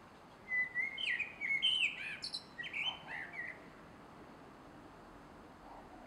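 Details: Male common blackbird singing at dusk in a garden on 3 July 2016: a burst of rich, fluting whistled phrases sliding around the mid register, ending in higher squeaky twitters, then quiet background.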